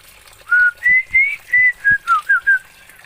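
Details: Oriental magpie-robin from Aceh, Indonesia: a series of seven clear, loud whistled notes, each short and slightly rising or falling, given in quick succession over about two seconds.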